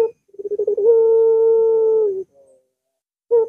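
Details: Single long puter dove coo, played to make a silent dove sing: a rapid series of pulsing notes merging into a steady, flat low hum held for over a second, then a short final note.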